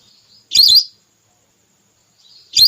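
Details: Female whistling duck call used as a hunting lure to draw birds down: two loud, shrill, wavering whistled notes, one early and one at the end, separated by silence.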